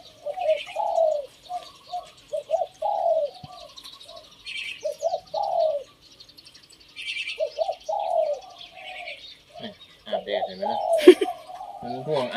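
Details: Decoy Spotted Dove cooing, its phrase remarked on as not pretty: quick groups of low, bouncing coo notes with pauses between, background bird chirps, and rustling and knocking handling noise near the end.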